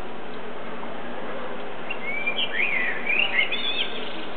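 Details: Blackbird singing at sunset, out of sight; after two seconds of quiet hiss comes a rich, fluty phrase of rising and falling whistles with twittering notes at the end.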